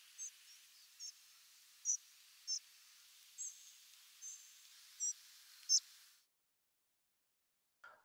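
A Spotted Flycatcher gives a series of about eight very high, thin, brief calls at irregular intervals, varying slightly in pitch, over a faint background hiss.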